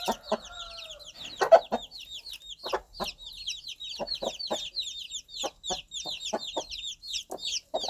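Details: Countryside mother hen calling her newly hatched chicks. Soft, spaced single clucks repeat about every half second to second, beneath a dense chorus of shrill, downward-sweeping chick peeps.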